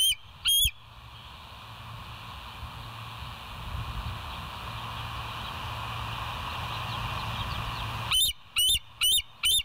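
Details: Bald eagle at the West End nest, live camera, early morning 20 July 2023 at 05:04; two loud high whistled notes, a long gap of steady hiss, then four more piping notes in quick succession.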